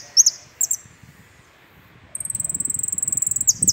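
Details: Jilguero finch in 'completo' song: two quick pairs of sharp, high downward notes, a silent gap, then a rapid evenly pulsed high trill closing with another falling note burst.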